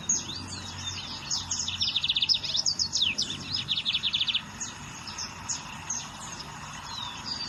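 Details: Lined seedeater singing in the wild: rapid high trills and buzzy repeated notes in quick bursts for about three seconds, then scattered sharper chirps, over steady insect-like background hiss.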